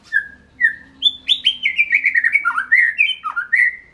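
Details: Murai batu, or white-rumped shama, singing two clear whistled notes before a fast cascade of rich, descending slurred phrases, ending with a dip and a final sweet whistle.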